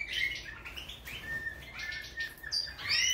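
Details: European goldfinch of the major form, singing a rapid twittering run of bright chirps and short trills, mostly high-pitched, with a faint low hum underneath.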